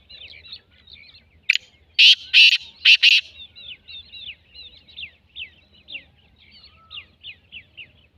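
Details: Black francolin with a loud, rasping call of about five rough notes early on. A trailing series of small birds' thin, downslurred chirps follows.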